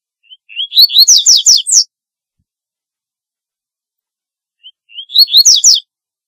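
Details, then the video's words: Two phrases of corbatita, the double-collared seedeater. Each starts with a faint high note, climbs through rapid slurred chirps and ends in a dense, buzzy trill. The phrases are roughly four seconds apart over silence. "Corbatita Canto Para LLamar 2 - Double-collared Seedeater Call Song - Sporophila Caerulescens"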